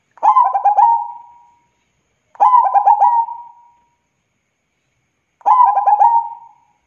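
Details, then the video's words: Local zebra dove in full voice: three evenly delivered phrases, each a rapid series of stammered, gurgling coos trailing into one long soft coo, repeated every two to three seconds against silence. "Suara Burung PERKUTUT Gacor"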